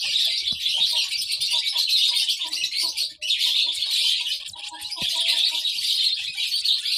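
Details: Baby lovebird giving rapid, high chattering chirps nonstop, a short lull near three seconds, faint lower whistles later, and a couple of sharp clicks.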